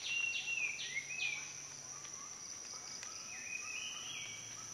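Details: Rufous piculet, while preening and feeding, giving three quick, high, down-slurred whistled notes, then fainter, thinner whistles later, over a steady insect hiss throughout.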